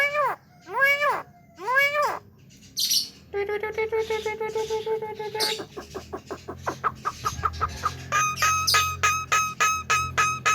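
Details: A tame Javan myna, said to talk well and sing its full repertoire, gives three nasal, arched calls, then a sustained buzzy note and fast, regular rattling pulses that speed into a loud clucking series.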